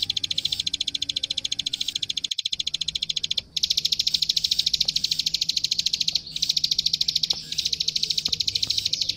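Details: Plain prinia fighting-style 'gacor' song, master recording for training young prinias: long runs of fast, high, dry clicks about ten per second, cut by a couple of short silences.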